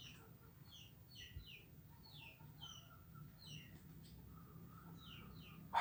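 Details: Morning swiftlets, hundreds of them, hunting emerging winged termites; quick, high, downslurred chirps in loose runs of two or three repeat through the clip, with a soft lower whistled tone midway and a sharp knock at the end.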